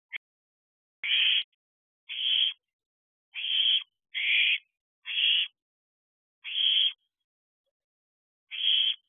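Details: Owlets perched together in an owl box at night, 2:43 am on 30 June 2023, showing affection toward each other; harsh, hissing screech bursts of about half a second, eight in nine seconds at uneven gaps, with no other sounds.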